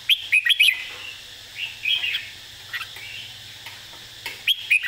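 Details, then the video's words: Red-whiskered bulbul giving its easy model song, meant for teaching birds: repeated bursts of quick, bubbly whistled notes open and close the clip, with softer warbles between. "สำนวนเพลงแม่บท ร้องง่ายๆ (ไว้เปิดสอนนก)"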